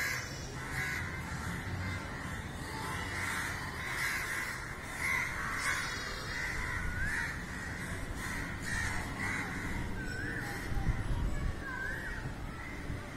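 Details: Hundreds of crows scrambling in the sky and crying over a dead crow: massed overlapping caws, hoarse and insistent, with some low rumbling background noise underneath.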